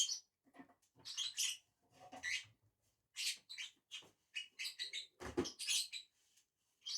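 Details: Two lovebirds eating on a tree chatter with shrill, scratchy chirps, mixed with soft rustling and a brief low thump.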